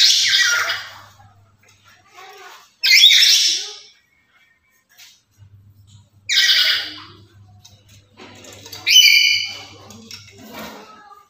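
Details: Black-capped lory, kept as a master sound for luring other lories, gives four loud, harsh screeches spaced irregularly, with some sharper ringing notes, quieter gaps and a low steady hum between.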